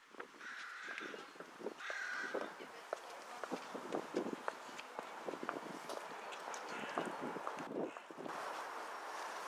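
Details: Black-headed gulls in Vienna in winter (January–February) give several harsh, grating kree calls, a few drawn out, over steady clattering and tapping noises.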